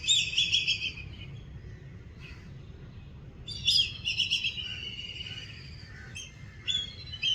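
Black kite giving high, shrill, quavering whinnying calls in three main bursts over a few seconds, with a low steady background rumble.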